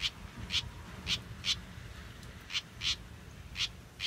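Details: Backyard-born house wren chick, large with a still-short tail, giving brief scratchy high notes, often in pairs, about eight calls spaced by short pauses against faint low rumble.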